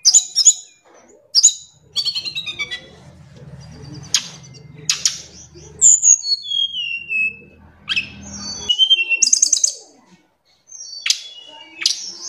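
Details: A tledekan gunung sings in the afternoon: sharp high chips, descending whistled slurs and quick rattled note series, with a low steady hum beneath and brief silent gaps.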